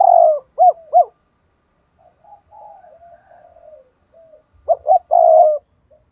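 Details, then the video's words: Spotted dove decoy for enticing wild rivals. A long coo and two short hooked notes come first, then faint wavering murmurs, then quick notes and a long coo, all low and mellow. "Chim cu gáy mồi chuẩn thúc kích bổi nhanh nổi hiệu quả"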